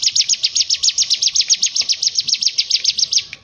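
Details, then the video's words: Bar-winged prinia, its ngebren ngetrok song used for tutoring other birds, pours out an unbroken run of quick, piercing, high chip notes, about six per second, steady in pitch and rhythm before stopping abruptly. "Masteran cigun ngebren ngetrok"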